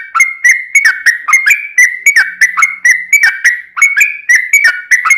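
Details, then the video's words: Yellow-vented bulbul (trucukan) in full, lively song of the long rapid 'ropel panjang' style, used as a lure to set other bulbuls singing: bubbling whistled notes near one pitch, each dipping then rising, repeated about three times a second. "trucukan gacor ROPEL PANJANG"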